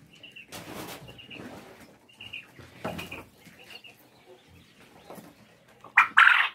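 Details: In winter, on a farm where the hens are laying well, a male quail, the big one, gives a short, loud, harsh crow near the end, raising his head like a rooster, after soft high chirps from other birds and some rustling and flapping.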